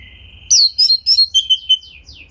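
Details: Oriental magpie-robin singing as a prompt for other magpie-robins. A steady thin whistle, then a quick series of bright, falling whistled notes.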